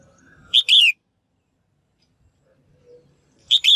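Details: Female bird calling to encourage males into lively song: one loud, ringing double chirp near the start and another at the end, separated by near silence with a faint short tone.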